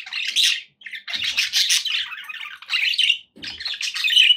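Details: Pet budgerigars chirping indoors: bursts of busy, scratchy warbling and squawky chatter, broken by short pauses, with a faint low thump near the end.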